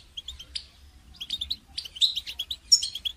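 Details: A quieter goldfinch, singing as training song for songbirds, gives soft chirps that quicken into a chattering, tinkling run of high notes.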